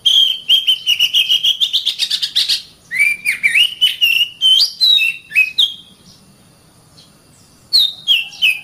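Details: Oriental magpie-robin master song for training caged birds: fast repeated whistled notes building in pitch, then varied slurred phrases, a pause of about two seconds, and a closing pair of falling whistles.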